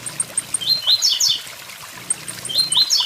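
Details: Blue-black grassquit singing beside a waterfall: a tight burst of rising, buzzy chips, then another starting near the end, over constant flowing water and thin high ticks.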